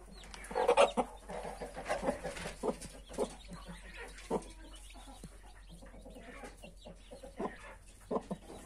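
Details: Mother hen with 31 newly hatched chicks: a few low, short clucks, loudest early on, then scattered softer clucks, with faint high chick peeping in the background.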